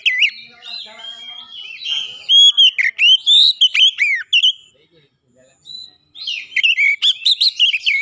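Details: Clear Oriental magpie-robin song played as a lure to set other magpie-robins singing: loud varied whistles, rising and falling slurs in quick runs, a short pause midway, then another rapid whistled phrase.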